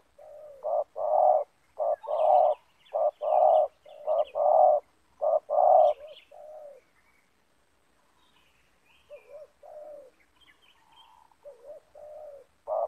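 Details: Spotted doves with the loud 'banggo' voice style meet in a yard: a caged decoy bird lures down a wild bird. Loud, low rolling coos come in rapid rhythmic bursts, then softer, more scattered coos.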